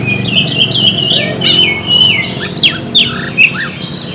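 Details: Lure song of an Oriental magpie-robin for prompting reluctant birds into song: a sustained level whistle, then sharp downward-sweeping notes and brief chips, with faint low background rumble.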